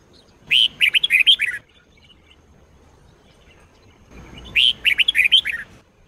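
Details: Red-whiskered bulbul performing Sông Kôn style song, meant for training: two clear phrases of about seven quick, chirpy, slurred notes each, roughly three seconds apart, with faint low background hum.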